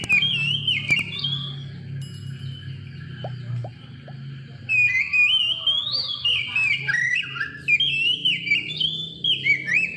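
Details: Oriental magpie-robin song used as a lure to provoke other birds into singing: loud, varied whistled phrases swooping and warbling, rapid and irregular, after a quieter opening with a low hum underneath.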